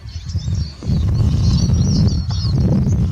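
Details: Eurasian siskin giving a fast, high-pitched twittering song of slurred squeaky notes and brief trills, steady throughout, half buried under a loud deep background roar.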